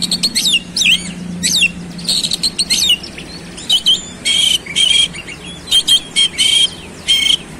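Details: Energetic oriental magpie-robin song packed with quick looping whistles and chattering notes, then dense buzzy bursts punctuated by clear high whistles, repeated in short spaced phrases.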